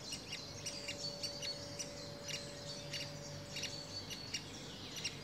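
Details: Great spotted woodpecker, an adult with young: a dense, continuous run of sharp, ticking notes repeated several times a second with a high, thin shrill band beneath, and a low steady hum behind.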